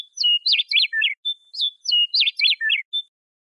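A Western Meadowlark sings two rich, flutelike phrases. Each opens with clear whistles and tumbles into a quick, gurgling warble, with no other sounds behind it.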